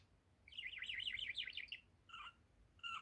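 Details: One-year-old male budgerigar kept as a pet indoors, giving a fast wavering warble that rises and falls rapidly for over a second, followed by two short separate chirps.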